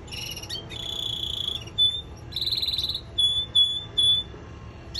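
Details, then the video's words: Singing male canary in training gives a softer passage: a short high trill, a steady buzzy roll, then a few clear, separate whistled notes spaced about half a second apart. "canary singing training male"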